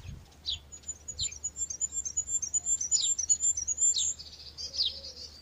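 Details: A goldcrest sings in an area without conifers: a very high, thin run of rapid repeated notes that rolls along and ends in a little twiddle, over a faint low rumble.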